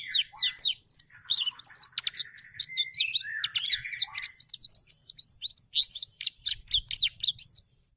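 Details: Pet canary in full gacor song, singing persistently: fast, unbroken sequences of sharp high chips, rattling trills and looping warbled notes, changing pattern every second or so, ending with a brief quiet gap.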